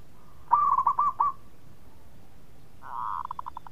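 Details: Zebra dove, local strain, cooing lure song: a mellow bubbling series of low hooting notes with a rolling trill, then a second burst of rapid pulsed coos fading at the end.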